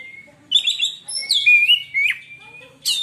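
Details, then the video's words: A captive white-rumped shama, whose song is said to quiet other shamas, gives a short burst of warbled notes followed by a long thin steady whistle and a final sharp chirp. "kacer lain di jamin langsung diam bila denger suara kacer ini"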